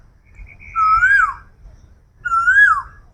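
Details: An Asian koel in a small tree-filled forest patch under the forest department near the Park Street crossing, Kolkata, India, gives two clear whistled notes about a second and a half apart, each swelling upward then dropping, over a low rumble.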